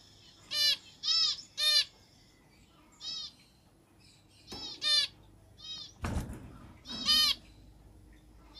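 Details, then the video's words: Zebra finch singing; a series of short nasal, buzzy harmonic honks, often in twos or threes, separated by short gaps, with a brief rustling burst near the end. "zebra finch singing"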